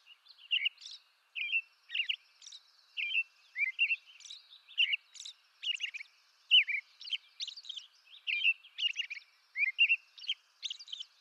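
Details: American robin from eastern North America in continuous song: a steady stream of whistled rising and falling phrases, regularly spaced, interleaved with high squeaky notes throughout.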